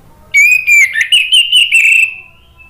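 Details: Orange-headed thrush song played as a lure for birds that have gone quiet: a long, steady, ringing whistle broken by brief slurred notes, fading out after nearly two seconds.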